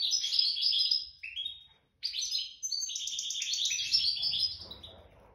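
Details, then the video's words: Goldfinch taken wild from the nest, singing wedani-style song: fast high twittering phrases, a brief silence near two seconds, then a long tumbling run of sharp chirps and trills. "تغريد ويداني خلوي ولد الوكر (جدر السلاكة)"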